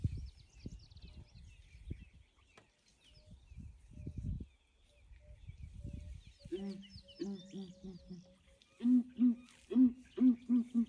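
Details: Southern ground hornbills calling in the morning near a breeding herd of elephants that came to investigate; rustling and low rumbles first, then deep hooting booms begin and grow louder in a rapid steady series.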